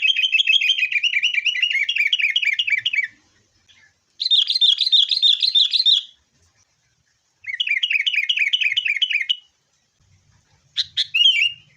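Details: Sooty-headed bulbul lure recording for caged birds, fighting: long rapid runs of repeated bubbly chirps around the upper-middle range, each burst lasting two to three seconds, separated by short silences.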